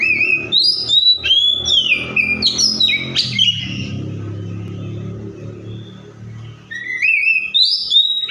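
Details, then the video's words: Oriental magpie-robin imitating other birds: loud, varied whistled phrases of slurred and rising notes, a brief lull mid-way, then renewed bright whistles, over a steady low droning hum. "COPSYCHUS SAULARIS SOUNDS LIKE THE WILD MAKES OTHER BIRDS SOUND!"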